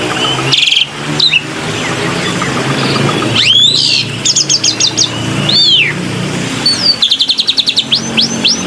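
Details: Black-winged myna lure recording over a steady low hum: scattered swooping whistles, a ticking chip series and a final run of rapid repeated high notes.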